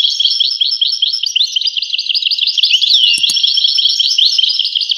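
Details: European goldfinch singing a continuous, rapid, liquid twitter of high tinkling notes with quick slurred phrases, bright and unbroken throughout, with a couple of faint clicks in the middle.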